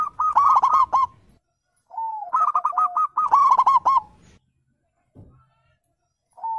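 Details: Zebra dove song played to get silent birds answering: loud clustered rolling coos, a soft lower phrase, two more bright trilled bursts, then quiet with a faint start of another phrase.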